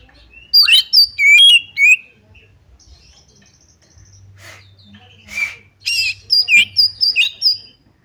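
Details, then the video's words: Oriental magpie-robin singing to provoke a rival to fight: loud whistled phrases at the start, a quieter gap with soft notes and a low hum, then another burst of bright whistles and chirps. "pancingan kacer tarung cari lawan"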